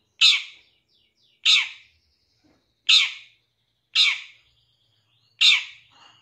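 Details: Lure call of a champion Long-tailed shrike from 2023, used to draw other shrikes into fast, agitated singing: five rough, scratchy notes at uneven intervals of roughly one to one and a half seconds, on a quiet background.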